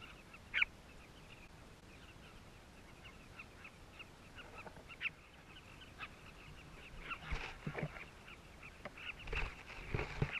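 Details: A colony of Southern Carmine Bee-eaters in South Luangwa, recorded up close with a hidden camera, keeps up a constant chatter of short, throaty mid-pitched notes, with louder bursts of calling near the end; a bird of prey targets the colony.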